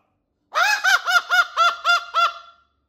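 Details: Cockatoo giving a body-shaking laugh: a run of seven rapid, evenly spaced, nasal 'ha' notes with rich harmonics, each arched in pitch, lasting about two seconds against a quiet background.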